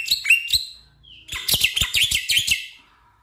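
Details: Song of a black-winged myna, played to coax a stressed, silent caged bird into singing: sharp chirps, a brief whistle, then a dense burst of harsh, scratchy rapid notes that fades out.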